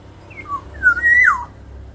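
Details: Actively singing black-naped oriole used as a lure song to train other birds; a short note pair leads into a liquid, rising whistle that peaks and falls away sharply, with steady low background hum.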